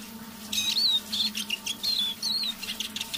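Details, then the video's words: Soft evening singing from a kept decoy Eurasian siskin, a few thin whistled slurs and twitters in short bursts over a low background hum. "Песня моего манного чижа"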